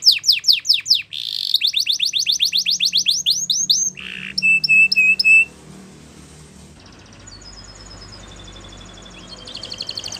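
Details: Spanish Timbrado canary giving a training song: rapid falling notes and quick trills, a short low buzz, flat piping whistles, then a long quiet stretch with faint thin high whistles.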